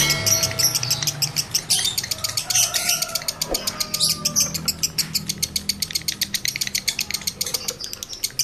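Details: Male lovebird in breeding condition, its chatter meant to stir other males to chatter (ngekek); busy, loud squeaky notes at first, then a fast, steady train of sharp high chirps.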